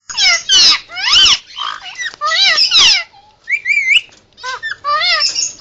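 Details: Pet Indian ringneck parakeet, hand-raised after weaning, making emergency sounds: harsh harmonic squawks sweeping up and down, some wavering whistled notes between them, in irregular bursts.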